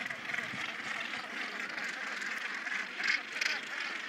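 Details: A Northern gannet (Morus bassanus) colony on Bonaventure Island, Quebec, the world's largest with about 60,000 pairs, makes a dense, unbroken din of harsh, grating calls, a few louder rasps standing out, with wind in the background.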